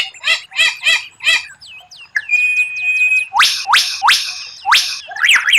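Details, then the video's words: White-rumped shama master recording of rare, unusual bursts meant to impress rivals. Raspy repeated notes give way to thin whistled upslurs, a run of clicking tones, then loud rising sweeps and twisting whistles. "Masteran murai batu tembakan langka, suara aneh tapi memukau lawan"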